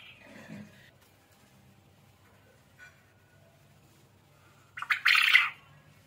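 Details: Quail, locally called burung puyuh or manuk gemek, calling actively: a long quiet stretch with faint low hum, then one loud, harsh, squawking burst lasting about half a second near the end.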